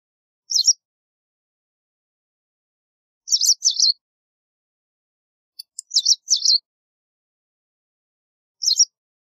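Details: White wagtail calling with crisp, high chirps, single or paired, spaced two to three seconds apart in an otherwise quiet setting.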